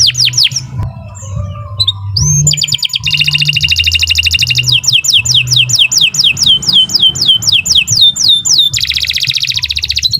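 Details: Canary in long continuous song, used as a training recording for other birds: scattered whistles, then dense buzzy trills, a string of downward-sweeping whistles, and a final fast trill over low background hum.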